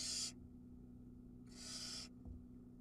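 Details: Barn owl chick filmed by a nest cam in Ram-on, Israel, at a feeding where it gulps down a whole mouse; two rough, breathy hisses about a second and a half apart, the second lasting over half a second, with faint low hum.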